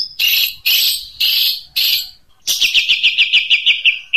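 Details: Long-tailed shrike singing 'tembakan unik': four harsh, scratchy bursts spaced about half a second apart, a short gap, then a fast descending string of chattering notes.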